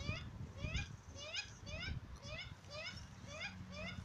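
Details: Juvenile Australian magpie in a cemetery loudly begging its parents to feed it chips: harsh, rising, harmonic squawks repeated roughly every half second, steady and insistent, over a low rumble of background noise.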